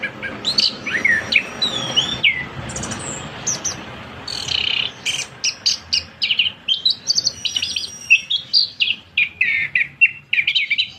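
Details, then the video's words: Captive orange-headed thrush singing a long, unbroken song of rapid varied phrases: sharp chirps, buzzy notes and bright whistled slurs, delivered in a quick run of bursts over steady low background noise. "Burung Punglor Kembang kicau panjang"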